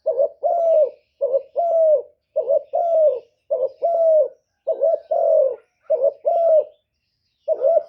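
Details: Spotted dove cooing, used to draw in wild doves: six soft two-note phrases, a clipped wavering coo then a longer gently falling coo, then a brief pause before one more phrase begins.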